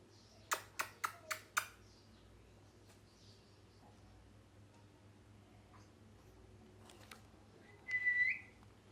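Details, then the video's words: Parrot uttering five sharp, clipped squawks in a quick burst, about four a second, then quiet room hiss with faint ticks, ending in one clear whistled note that slides upward. "Parrot Chirping Sounds | Natural Parrot Sounds | Parrot Calling Sounds"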